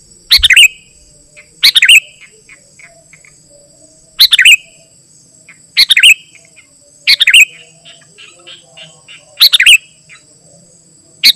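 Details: Sooty-headed bulbul song for calling wild birds and tutoring captive ones: six brief, bubbly, warbled phrases at uneven gaps of roughly one to two and a half seconds over a thin, constant high whine.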